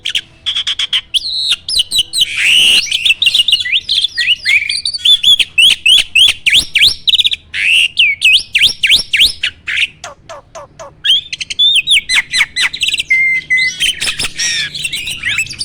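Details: Starling singing as a training recording for other birds: an extended, rapid jumble of chirps, rising whistles, clicks and harsh notes, almost unbroken apart from a brief lull in the middle.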